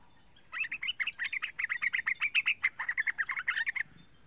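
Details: Three-month-old yellow-vented bulbul calling as a lure and tutor for other bulbuls: a steady two-and-a-half-second stream of fast, warbling chirps repeated a few times per second, then silence.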